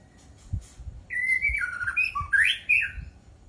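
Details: White-rumped shama song: a fluid run of loud whistled phrases, sliding up and down, with sharp bright upward notes near the end, over low rumbling background noise and faint clicks.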